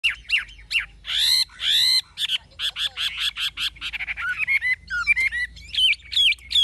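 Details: Chinese hwamei, a mature wild-caught bird with the prized 'forest voice' song style, delivering loud, rich whistled phrases of varied pitch: rising and falling slurs and quick repeated notes with short pauses between bursts, no other sounds.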